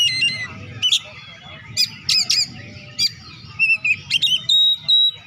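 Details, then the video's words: Oriental magpie-robin singing loudly, a mix of sharp high chips, harsh squawky notes and clear sustained whistles in irregular bursts, with a low rumbling hum beneath; used to stimulate lazy birds to sing. "BURUNG KACER GACOR.COCOK UNTUK PERANGSANG KACER YG MALAS BUNYI"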